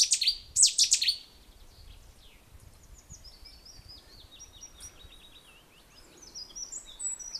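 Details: Cetti's warbler song at the Boat House, Wintersett Reservoir, Wakefield, 24 April 2016: a loud, explosive phrase of rapid high chirps lasting about a second, then faint thin high notes from more distant birds.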